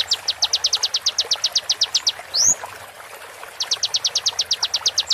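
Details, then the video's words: Slowed konin song, real bird voice mixed with water therapy, meant for tutoring songbirds: a long fast series of piercing high ticks, then one brief rising whistle, a gap, and another run of ticks. "MASTERAN KONIN FULL ISIAN TEMBAKAN TAJAM"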